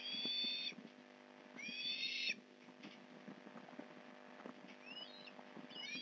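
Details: Osprey at the Port Lincoln nest during a fish delivery, November 15, 2019: two loud high whining squeals early on, then fainter upward-sweeping chirps, with background tapping and rustling throughout.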